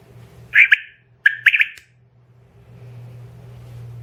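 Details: A female quail, used in quail hunting, calls in two bursts: a harsh squawking note, then a quick broken cluster of three scratchy notes, over a low steady hum.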